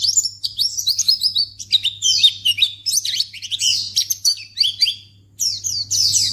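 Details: White-eye used as a lure so other white-eyes answer at once: dense, jumbled high twittering with fast zigzag notes, a brief lull near the end, then renewed chattering, above a faint constant hum.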